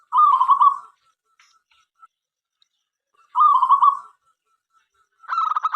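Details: Local Indonesian zebra dove singing to draw other doves into song: two rolling, vibrating coo phrases about three seconds apart, a faint soft note between them, then a third pulsed phrase beginning.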